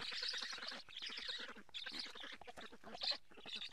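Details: Raspy, quacking chatter from black storks at the Karula nest in Estonia as fish is delivered in July, picked up by a live nest camera; the calls come in quick overlapping bursts.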